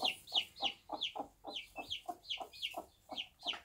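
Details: Backyard bantam hen with day-old chicks clucks in short repeated notes roughly three per second, each paired with bright high chick peeps above.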